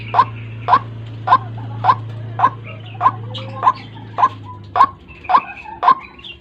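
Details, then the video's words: White-breasted waterhen lure call, used in the morning to trap the birds and draw them close: short, harsh, clipped notes repeated steadily about twice a second. A low steady hum runs through the first five seconds. "Suara pikat burung ruak ruak , AUTO MENDEKAT"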